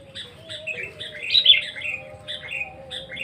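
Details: Sooty-headed bulbul singing: short bright chirping notes, some slurred up and down, in a loose string of phrases with brief pauses. A steady low hum runs underneath.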